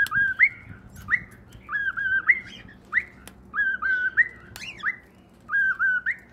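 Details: Pet cockatiels singing: short whistled phrases of level notes ending in a rising upturn, repeated about every second with brief pauses between them.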